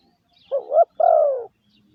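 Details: Single lure phrase from a caged spotted dove used as a decoy, 'gáy gù' style: a wavering double note followed by a long, smooth, gently falling hollow coo, with silence around it.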